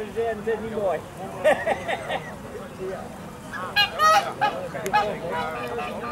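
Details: A captive pair of Orinoco geese (Neochen jubata) in a private collection in Holland giving nasal, honking calls in short repeated bursts, overlapping, amid background murmur and voices from a crowd of visitors.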